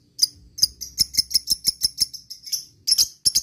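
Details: Lovebird lure call, a ticking call to draw replies from other lovebirds; a quick run of thin, high, clipped chirps, some doubled, roughly three a second.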